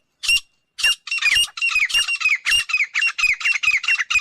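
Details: Grey francolin (Francolinus pondicerianus), call.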